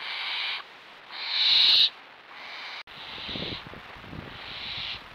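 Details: Perched young barn owls being fed: repeated harsh, hissing screeches, one loud and rasping, the others softer and breathy, with quieter rustling between them.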